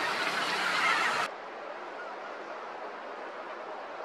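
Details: Loud broadband rushing noise, like a passing vehicle or wind, cuts off abruptly after about a second, leaving a quieter, even background hiss with no calls.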